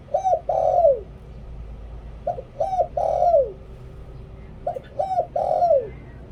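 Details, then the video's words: Dove giving a lure call used for decoying wild doves, Thailand: low hollow coos in groups of three, a short note then two longer downslurred ones, each group repeated about every two seconds, faint room hum. "หลิ่วตัน เสียงต่อนกเขาเสียงชัดภาพชัดHD เข้าง่าย"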